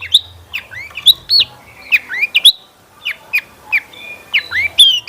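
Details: Long-tailed shrike in full, rich song, played as a lure to make other shrikes answer and sing: clear whistled notes with rising and falling hooks, given in quick irregular bursts. Faint low hum beneath.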